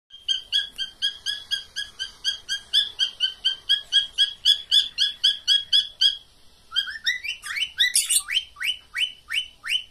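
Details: Pet cockatiels giving a mating call: rapid run of short, even chirps about four per second for six seconds, then a shift to louder upward-sweeping notes.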